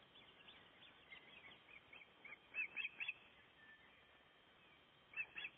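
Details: Breeding osprey at its nest during nest building in Gribskov, Denmark, recorded by a nest camera: a few short, sharp whistled chirps come in brief clusters over steady background noise.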